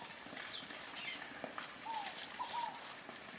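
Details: Sayaca tanager uttering a few high, wavering squeaky notes in a quick run, followed by soft lower downslurred whistles, over quiet background hiss.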